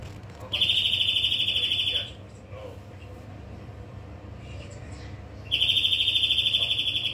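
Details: European greenfinch song: two rapid, bright trilled phrases, each about one and a half seconds long, separated by a quieter gap with a few faint chirps, over a low background hum.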